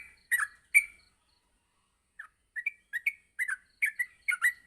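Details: Yellow-vented bulbul, morning training recording: two loud chirps, a silent gap of over a second, then quieter chirps picking up again into a fast, uneven series of short twisting notes.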